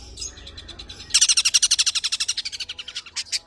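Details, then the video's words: Long-tailed shrike singing its fast 'nembak' phrase, a tame champion bird used as a singing model for other birds: a few soft chirps, then a loud, rapid rattle of sharp notes about four per second. "BURUNG CENDET JINAK GACOR JUARA SUARA FULL ISIAN NEMBAK"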